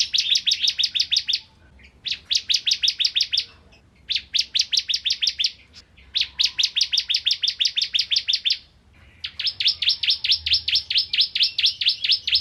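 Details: Bar-winged prinia, a bird of rice-field areas, singing actively, recorded as tutor song for magpie-robins; bursts of rapid, sharp, high chirps repeated about ten times per burst, separated by short pauses, in five bursts.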